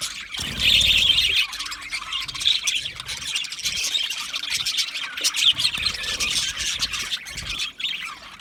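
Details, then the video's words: Budgies chattering as a flock: a steady stream of high, rapid chirps and squeaky warbling notes, many birds overlapping, with a brief louder burst near the start. "Budgie parrot chirping sounds"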